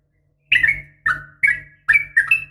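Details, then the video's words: Female Yellow-vented Bulbul calling the male with a fighting sound, made for training caged bulbuls. Short, bright, slurred chirps fall and then level out. They come in irregular bursts about every half second over a faint low electrical hum. "trucukan gacor SUARA TARUNG ROPEL UPLIK"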